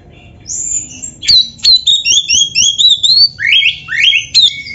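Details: Training song of a white-rumped shama for caged birds, packed with imitations: a rapid string of bright whistled notes, some falling and some rising in sweeps, delivered in quick succession.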